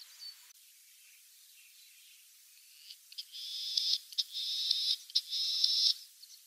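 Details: Latham's snipe song at Kiritappu wetland, early morning, answering another snipe calling in the distance: harsh, rasping high notes in quick bursts, about one a second, building through the second half after a quiet start.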